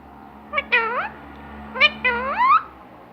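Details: Pet parrot that talks, saying Allah Hoo among many words: two short phrases of voiced, gliding syllables, the last rising upward, over a steady low background hum.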